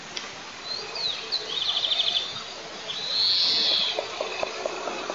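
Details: White-tailed eagle at a nest camera at Altynychi on 9 July 2024, as a piece of ground squirrel is offered to a young bird. Thin, high-pitched, rapidly trilled chittering comes in two bursts, the second longer, over a soft steady background hiss.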